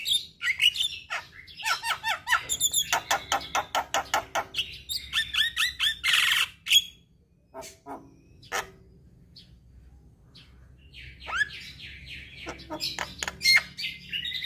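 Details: Javan myna singing: rapid runs of harsh, scratchy, clicking and squawking notes mixed with whistles, then a quieter pause before further chattering phrases, with a low background hum.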